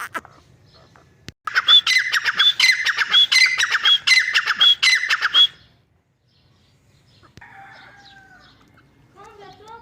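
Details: Grey francolin (teetar) calling: a loud, harsh, rapidly repeated series of grating squawks, each with a thin high whistled slide, running for about four seconds before stopping abruptly. Faint softer bird notes follow in the quiet.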